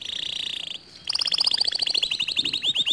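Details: Canary song aimed at getting a quiet canary to sing. A steady, buzzing, high trill breaks off briefly. Then a fast pulsing roll of bright notes follows and speeds into slurred, falling chirps.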